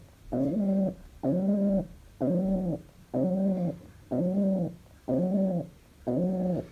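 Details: Happy household pigeon produces seven regular, deep cooing notes, each about half a second long, at a steady one-per-second rhythm in a quiet room.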